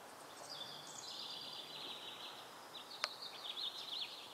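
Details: House finch (Haemorhous mexicanus), song.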